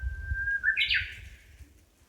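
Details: Small bird singing among trees beside a park path in Amakusa, Kumamoto, Japan, early summer heat: a level whistled note rising in a step into a bright rapid fluttering phrase, with soft low rumble beneath.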